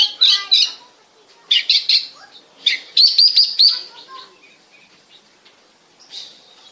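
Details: Oriental magpie-robin song from Bekasi, meant to prompt other birds to sing: bursts of scratchy chattering notes, a quick run of bright repeated whistles near the middle, then softer scattered notes and pauses.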